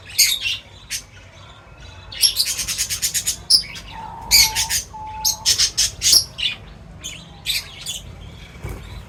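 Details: Birds feeding and chirping loudly: a fast, regular run of clipped high notes, scattered sharp tweets, and two short, steady mid-pitched whistles near the middle.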